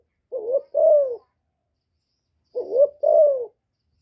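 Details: Female spotted dove cooing to stimulate newly kept males, recorded close without background noise: two soft, low coos in a two-part phrase, the pair repeated after a two-second pause.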